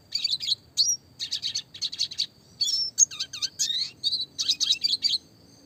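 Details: Red siskin in classic song: clustered, buzzy high twitters with falling and rising slurred notes, delivered in quick phrases with short breaks. Training song with roll tembak variation.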